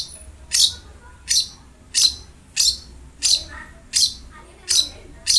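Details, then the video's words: Long-tailed shrike (cendet) singing energetically as a masteran to encourage a quiet cendet. Bright, high, clipped notes come at a steady pace, about one every 0.7 seconds, over a low background hum. "BURUNG CENDET GACOR| Masteran Wajib Untuk Burung Cendet Malas bunyi"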